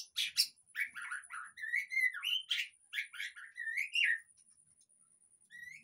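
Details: Lure recording of a white-rumped shama singing, meant to prompt a silent caged bird to sing openly; harsh chattering notes lead into rich rising and falling whistles, ending in a brief pause and a soft closing whistle.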